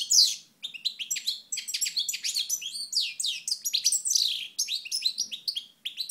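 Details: Goldfinch from Moknine in 2012 singing a continuous, lively stream of high tinkling twitters, buzzes and quick slurred notes with hardly a pause across six seconds.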